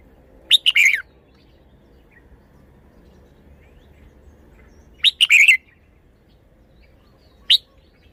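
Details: A cage-kept red-whiskered bulbul sings for display. Two lively bursts of rapid, high warbled notes are spaced several seconds apart, followed by a single short chirp, over quiet background hum.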